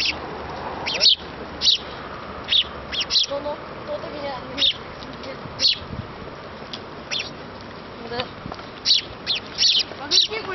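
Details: Begging sparrow chick asking its parents for a meal: insistent short high chirps repeated roughly once a second, some doubled, over faint background murmur and hum.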